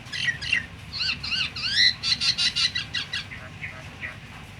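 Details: Myna calls played to prompt other mynas to start calling, even silent ones: a fast run of clear whistled notes, some bent and rising, then a burst of short repeated chips, with a low rumble of background noise.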